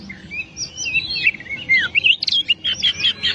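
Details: Oriental magpie-robin tutor song: smooth, gliding whistles lead into sharper chattering notes and a quick series of clipped, bright chirps.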